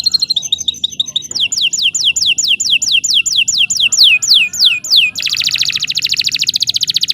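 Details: Singing canary used as a master recording for teaching other birds: fast high chips, then a long series of loud downward-sweeping whistles, ending in a dense rapid buzzy trill.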